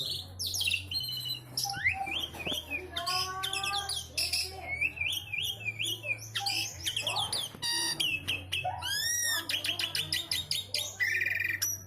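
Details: Javan pied starling (jalak suren jawa) singing an isian song: a dense, rapid run of varied whistles, rising slurs, buzzy trills and harsh chattering notes with barely a pause, over a steady low hum.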